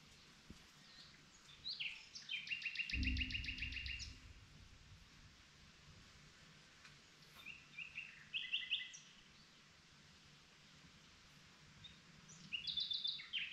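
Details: Common nightingale singing at night: a loud burst of rapid, evenly repeated notes, then short varied whistled and trilled phrases separated by pauses of several seconds, over faint steady background noise.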